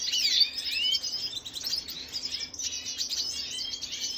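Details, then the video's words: Venezuelan red siskin singing on 25 June 2022, a fast high warble of slurred whistles and twitters, briefly dropping off midway before resuming. "خوێندنی سیسکنی سوری فەنزوێلی"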